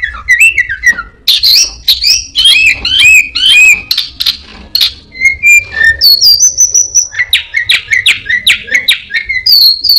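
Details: Orange-headed thrush mimicking ashy prinia, a cat and other birds delivers a varied, rapid medley of whistled, slurred and chattering phrases with frequent changes of pitch.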